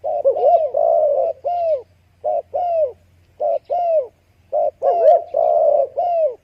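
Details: Spotted dove calling: a series of soft, low cooing notes, some wavering and some drawn out with a downward slur, in short phrases repeated about once a second with brief pauses, over a quiet background.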